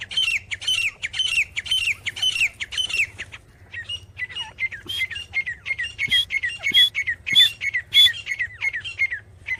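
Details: Calling grey francolin (teetar): strident high notes repeated rhythmically about every half second in a long series, with a brief lull midway, a few faint clicks, and a low humming background.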